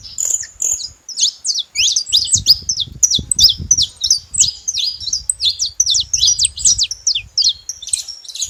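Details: At a feeder, saffron finches keep up a busy stream of sharp, high chirps, about three per second and irregular, over a low rumbling background.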